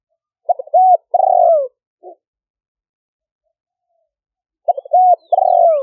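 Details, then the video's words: Fierce-strain spotted dove decoy used to lure wild doves, recorded in 2021 in Roi Et, Thailand: two phrases of quick stammering coos leading into a long descending rough coo, with a soft brief note between them. "เสียงต่อนก หลิ่วตันสายพันธุ์ดุ #8 นกป่าเรียกกุกเข้าเร็ว เสียงนกเขาใหญ่ป่าเต็ม100 เข้าดี100%"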